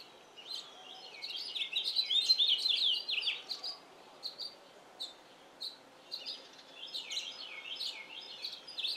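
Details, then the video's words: Male house finch in a yard: a rich, hurried warbling phrase, then a series of separate short chirps roughly every second, ending in another burst of warbling, with other wild birds in the background. "House Finch singing in my yard."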